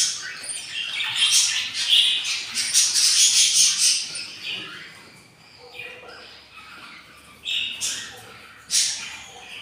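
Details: Hungry four-day-old budgerigar chicks in a breeding nest, three hatched from eight eggs, begging with a rapid burst of harsh, high buzzy squeaks that fade, then a few sharp later cries.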